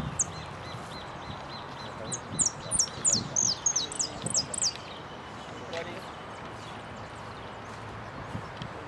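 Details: Saffron finch singing for the repique category at Nuevo Irupé, 15 01 12, where it took second place: a quick cascade of a dozen high, steeply slurred notes in the middle, over faint hum and background noise.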